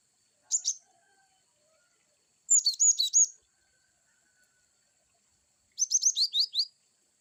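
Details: Cinereous tit (glatik batu) producing varied wucit calls: three separate high bursts, a short double chirp, then a run of about five slurred notes, and finally six quick downslurred chirps, with silence between.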